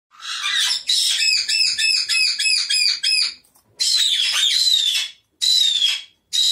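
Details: Blue-fronted amazon calling: a run of rapid, harsh, harmonic-rich squawks repeated for about three seconds, then longer raspy, wavering screeches with a short pause between them; no other clear sounds.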